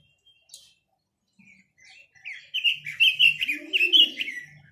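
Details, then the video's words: Chinese hwamei song opening with scattered soft notes, then bursting into a loud, fast sequence of varied whistled phrases, roughly one to two per second, with some lower murmuring notes underneath. "Tiếng chim quế lâm"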